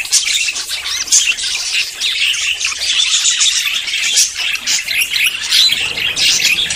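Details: Several budgerigars in courtship before breeding produce a dense, high, scratchy twitter with frequent sharp chirps and squawks, sustained throughout.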